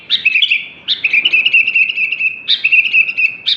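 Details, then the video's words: Sooty-headed bulbul in energetic, non-stop song: bright chattering phrases with sharp note clusters, then a sustained rolling trill, broken twice by short pauses. The background is quiet. "BURUNG KUTILANG SUPER GACOR"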